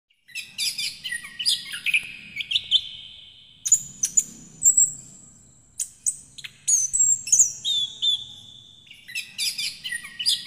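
Orange-headed thrush singing a rich, varied run of loud whistles, trills and sharp high notes in bursts separated by short pauses.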